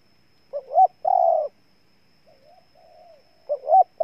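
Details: A spotted dove in Ninh Thuận, Vietnam, coos loudly with double-note starts and long buzzy coos. A softer, fainter answering coo phrase can be heard in the pause between its calls.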